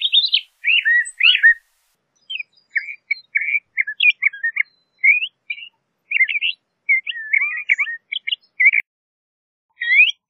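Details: LeConte's thrasher song made of scattered short phrases, some wavering downward, others sharp upward chirps, delivered irregularly over ten seconds in quiet surroundings.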